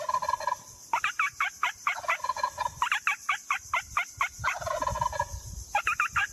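A turkey gobbles in rapid rattling bursts of throaty, bubbling notes, three or four runs in six seconds, with a steady high hiss behind.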